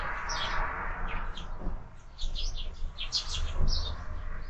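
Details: Morning sparrows at a feeder fixed to a window, with birds fed all year, give scattered high chirps in quick clusters over a steady mid-pitched hum.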